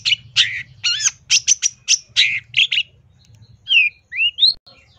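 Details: Long-tailed shrike singing a mix of harsh chattering bursts and wavering whistles, followed by clear rising, slurred whistled notes; steady low hum beneath.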